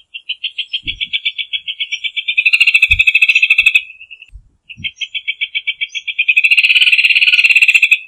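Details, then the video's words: Rufous hornero song: a long rapid trill that swells louder as a second, lower-pitched trill joins it, then breaks off briefly and starts again, with a few low knocks. "Hornero Canto - Rufous Hornero Bird Song"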